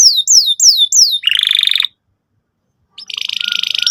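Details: Canary lure song played to stimulate young canaries learning to sing: rapid descending whistled slurs give way to a dense buzzy trill, a brief pause, then another fast rattling trill.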